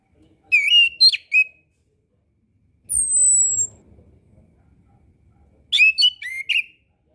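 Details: Master-recording song of an orange-headed thrush, meant to teach young birds and stir lazy singers: quick whistled, warbling phrases at start and end, with a thin high whistle and a soft rumble between them.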